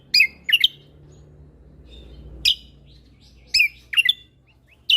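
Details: Tutor recording of a lesser green leafbird singing with shot-like fill notes: isolated loud, sharp whistled chirps, sometimes in pairs, spaced about a second apart.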